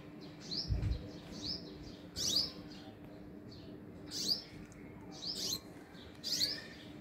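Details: Bursts of high, squeaky, downslurred chirps every second or so from sunbirds caring for young at their hanging nest, over a steady low hum.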